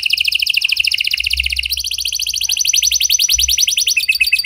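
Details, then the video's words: A canary sings a fast, continuous run of bright, high trills and rolling chirps, shifting phrases every second or so, over a faint low hum. The song is offered as a lure to prompt silent canaries to sing. "Buat Kenari Macet Anda Respon Dengan Suara Pancingan Kenari Gacor Ini! Kenari Gacor Cengkok Unik"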